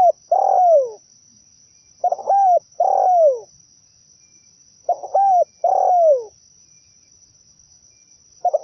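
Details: Lure recording of zebra dove song for bird trapping: repeated phrases of a brief stuttered coo followed by a longer, burry note that drops in pitch, about every three seconds, with a faint constant high hum behind.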